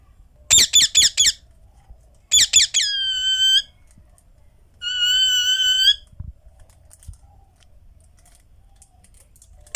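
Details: Indian ringneck (rose-ringed parakeet) gives four rapid harsh screeches, then two more that stretch into long, nasal, harmonic squawks about a second each.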